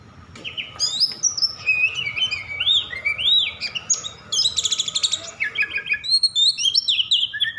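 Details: Agitated Oriental magpie-robin singing to provoke other magpie-robins into song: a fast, varied run of high whistled slurs and rising-falling notes, then a burst of rapid buzzy trills and chattering, ending in sharp clear whistles.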